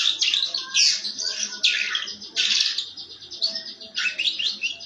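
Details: Canary singing a rough, harsh 'ngeriwik' style song used as a lure to set other canaries singing: dense bursts of fast, buzzy, high trills and chattering phrases, pouring out almost without pause, with a faint low background hum.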